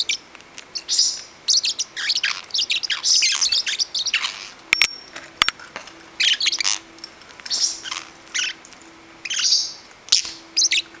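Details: A 9-week-old parrotlet, excited and wanting to play, chases another bird and calls loudly: bursts of sharp, high chirps and squawks in rapid clusters, with short pauses between outbursts.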